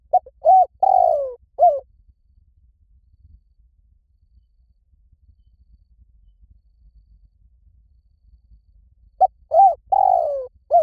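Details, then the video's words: Spotted dove with a 'liu tan' style coo, used as playback so a dove in training answers: one phrase of brief coos and a long descending coo, then seven seconds of silence before the phrase repeats. "สำหรับเปิดล่อนกเขาใหญ่ฝึกต่อ ให้ขันโต้ตามเสียงนกเขาใหญ่หลิ่วตัน"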